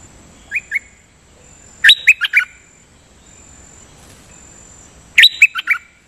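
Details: Nok dok taeng songbird singing for decoy use with steady doubled phrases: two soft chirps, then two bursts of five or six sharp whistled notes about three seconds apart, with a faint steady hiss.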